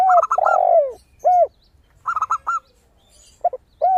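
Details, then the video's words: Singing zebra dove used as a lure: quick trills of high, clipped coo notes alternate with long, lower, rounded coos from a spotted dove, the two voices trading phrases in close succession. "PERKUTUT GACOR suara kristal - AMPUH UNTUK PANCINGAN"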